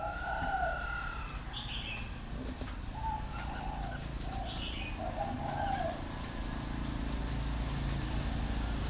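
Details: Warm plain cooing of a spotted dove, 'cúc cù cu' in three notes, thổ pha style: low soft hoots in a short phrase over steady background hum, with small birds chirping above.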